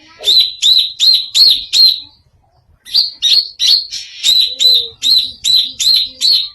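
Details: Unusual song of a greater green leafbird: a regular series of five sharp, high, slurred chirps, a brief pause, then a longer steady string of similar notes at about three per second.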